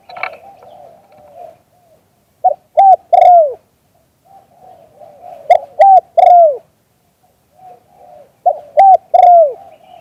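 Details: A spotted dove, recorded live, coos in the 'liu tan' style: three phrases, each of two quick coos and a longer downward-curving note, spaced about three seconds apart, with gentle murmured coos between.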